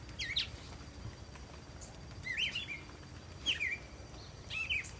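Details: Backyard cardinal perched high in a treetop, giving four clear chirpy whistled phrases with quick up-and-down slurs, roughly one per second, against faint low rumbling background noise.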